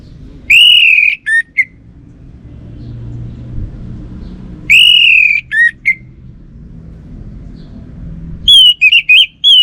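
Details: Orange-headed thrush, North Bali, repeating a phrase of a long ringing whistle followed by two clipped lower notes. It is given twice, then a quicker run of higher warbled notes follows, over low traffic-like rumble.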